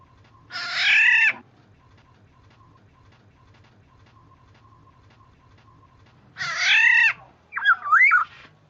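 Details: Oriole on a luring recording: two long, harsh, nasal squawks several seconds apart, the second quickly followed by a short wavering whistled phrase.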